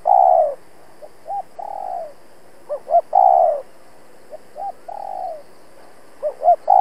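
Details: Spotted dove used as a trapping decoy, cooing vigorously to provoke wild males. Drawn-out, descending low hoots are interspersed with pairs of short, bouncy notes, repeated in a steady rhythm against a clean, quiet background.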